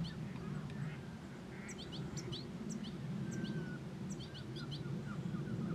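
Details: European goldfinch song: scattered short, high tinkling chirps in quick clusters, with one thin drawn-out note midway, over a steady low rumbling background.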